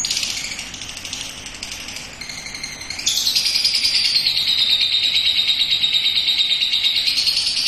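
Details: Young lovebird on a porch, singing its long ngekek: an unbroken, rapid, shrill chattering trill that runs on for several seconds, growing louder and steadier halfway through with a thin whistled thread above.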